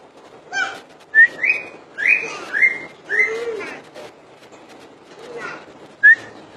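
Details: Common iora in full song: a lively series of upward-sliding whistles with buzzy harmonics, some rapid and overlapping, then a pause and one final clean whistle.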